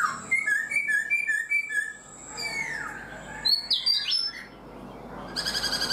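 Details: Black-throated laughingthrush kept in a cage for four months. A row of short, even whistled notes is followed by sliding calls, sharp high chirps and a buzzy burst at the close.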